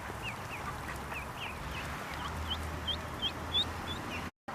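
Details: Lost mallard duckling crying for its mother while swimming in a pond, a steady string of shrill downslurred peeps roughly three each second, growing sharper toward the end before a brief cut in sound.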